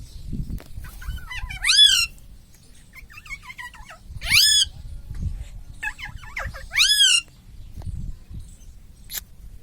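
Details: Pet green ringneck parrot, said to say mummy and mitthu, utters three loud nasal, wavering voice-like phrases about every two and a half seconds, each sweeping up and down, with soft clicks between and low room noise.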